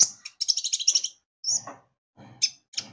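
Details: Javan white-eye singing to spur other birds on: a fast rattling series of high chirps, then a few separate sharp tweets with soft lower scratchy sounds.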